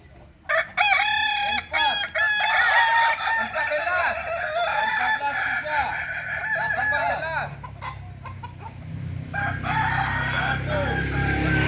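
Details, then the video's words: Kokok Balenggek rooster from Solok, West Sumatra, delivering a long multi-syllabic crow: a string of rapid, evenly stepped notes running for about seven seconds, then fading into a low background hum. "Ayam kukuak balenggek asli solok sumbar"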